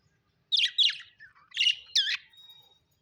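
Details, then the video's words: Happy budgies chirping: four bright, clear chirps with short gaps between them, each with a quick bending warble and a bit of buzz, followed by soft tailing twitters and silence. "happy budgies chirping sound"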